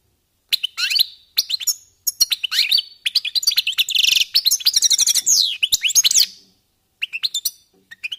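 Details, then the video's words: Warming-up goldfinches deliver scattered high chirps that build into a rapid trilled and buzzy twittering phrase, then fade to a few separate notes. "jilgueros calentando motores"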